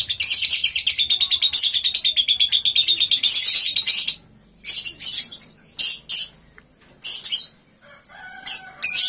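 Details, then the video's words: Three-month-old lovebird chattering right after waking: a long burst of rapid, high, scratchy notes packed densely for about four seconds, then breaking into shorter separated chirpy bursts. "Paud 3 bln Bangun tidur langsung ngekek"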